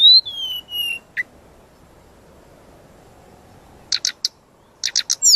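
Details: Brown-chested jungle flycatcher in a full-variation training master song: a long clear falling whistle, a single sharp note, then after a silence, clusters of rapid high clicking notes and a final looping whistle.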